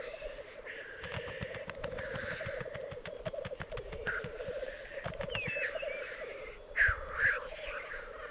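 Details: Black grouse lek in the Piedmont Alps, Italy, 2022: an unbroken low bubbling chorus with faint hisses. Sharp clicks repeat throughout, and a couple of louder rising and falling whistled notes come near the end.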